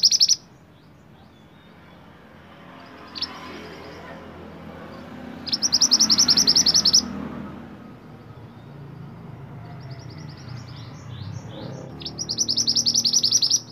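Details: Mantenan (kuniran) singing at length for use as a training model for other songbirds: repeated bursts of fast, high, chattering notes, the loudest around the middle and end, separated by quieter stretches with low rumbling background noise.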